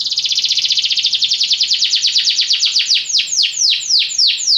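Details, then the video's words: Belgian canary song opening with a very fast, even rolled trill that gradually slows into distinct, louder falling whistled sweeps toward the end; faint low background hum. "Canários belgas atraem o som das canções preguiçosas dos canários"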